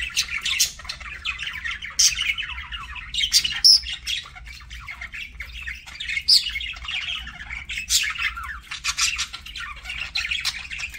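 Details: Parakeet kept as a pet, heard at mealtime: dense buzzy chattering with harsh squawks and bright, sharp clicks recurring every second or two over a low steady background hum.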